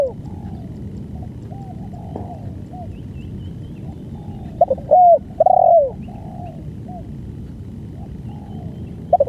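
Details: Spotted dove giving long banggo song. A quiet stretch of faint background coos leads to two loud, mellow, downward-sliding coos near the middle and a short note at the end.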